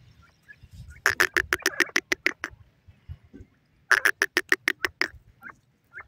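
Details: Golden teetar (partridge) call: two quick series of harsh, rasping notes, each of about ten notes at a steady pace, separated by a short gap with faint low thumps.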